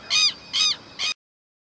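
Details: Southern lapwing (Vanellus chilensis), a Brazilian bird, calling: three loud, harsh, nasal notes about half a second apart, the last clipped short, with no other sounds.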